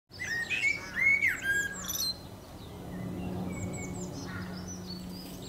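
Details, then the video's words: Blackbird song: fluty, warbling phrases around the middle register, mixed with high, thin twittering notes, fill the first two seconds. A quieter stretch follows, with a steady low hum underneath. "Blackbird song"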